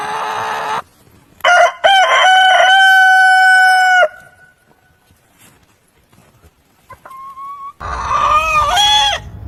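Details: Rooster crows: a short burst, then a loud crow of three stepped notes held steady about two seconds, quiet with a faint thin note, then a wavering, rising-and-falling crow near the end.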